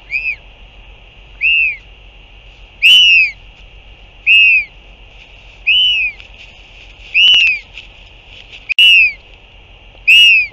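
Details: Northern royal albatross on 8 June 2023 as a parent comes back to feed its chick: loud, clear arched whistles repeated steadily about every one and a half seconds, each rising then dropping, with little other sound.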